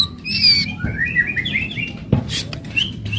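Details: Aggressive white-rumped shama song meant to provoke other birds: quick chattering slurred notes at mid pitch, a high whistle early, with sharp clicks and a burst of noise mid-way.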